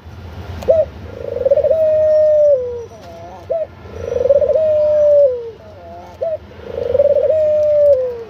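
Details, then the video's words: Australian dove cooing in a steady pattern: a short clipped upward note, then a long, smooth, slightly quavering coo that slides down at the end, repeated about every three seconds over a low background hum. "Australian Dove Sound"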